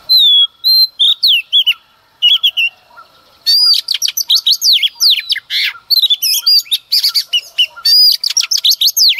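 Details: Sustained, rich song of a female Oriental magpie-robin in the early morning, aimed at provoking males: rapid chains of loud whistles, downslurred notes and sharp chips with few pauses, building denser toward the end.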